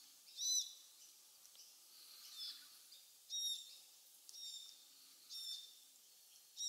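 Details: Glossy black cockatoo family with fledgling feeding in casuarinas beside Bournda Nature Reserve, Bega Valley, November evening; several high, squeaky, wheezy calls spaced about a second apart, some louder and some soft, with quiet bush background.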